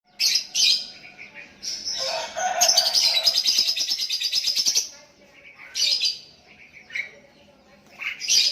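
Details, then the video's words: Sooty-headed bulbul calling to a rival as a lure, with other bulbuls answering; high chirps, then a dense buzzy rattling trill lasting about three seconds, followed by short scattered chirps. "Burung Kutilang Memanggil Lawan pancingan,,dan Kutilang Lain Ikut nyahut"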